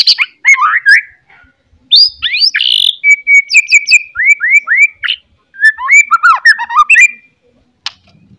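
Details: White-rumped shama morning song used to spark fighting spirit in other shamas. Rich varied whistling: slurred notes, a held steady whistle, repeated looping phrases, and tumbling warbles, fading out near the end.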